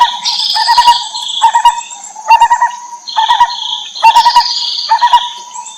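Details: Lineated barbet mother feeding her young in the wild: dense runs of low rapid pulsed notes repeating roughly once a second, mixed with higher hissy squeals and a constant thin high drone behind.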